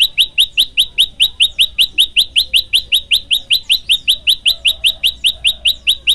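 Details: Olive-backed tailorbird, known locally as prenjak lumut, singing actively in a tutor recording for training birds: a long steady run of sharp, high, upslurred chip notes, about two and a half per second, with no other sounds.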